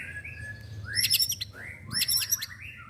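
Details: Young white-rumped shama, a caged bird, singing: rising whistled slurs near the start, then two loud harsh buzzy chattering bursts with whistled upslurs between them, over a low background hum.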